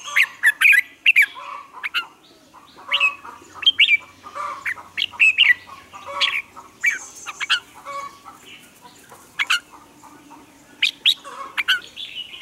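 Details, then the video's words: Red-whiskered bulbul in a morning training song for caged birds: a long run of lively whistled phrases, quick chirps and slurred notes repeated about twice a second, with brief pauses and faint background chatter. "Luyện chào mào hót sáng, hót hay"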